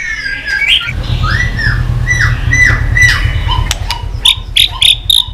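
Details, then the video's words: White-rumped shama singing excitedly: arched whistled notes repeated several times over a steady low hum, ending in a run of short, sharp high notes. "Chòe Lửa tạch đập đuôi kích lửa cực sung. kích chòe Lửa lên lửa sổ giọng.chòe Lửa hót nhiều giọng"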